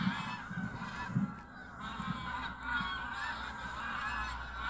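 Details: Dense chorus of wild geese taking to wing at sunrise over wetland marshes at Burnham Norton, North Norfolk coast, 10 September 2022, a mixed flock of Canada, White-fronted, Pink-footed, Brent and Greylag; overlapping nasal honks throughout with a low rumble underneath, phone recording.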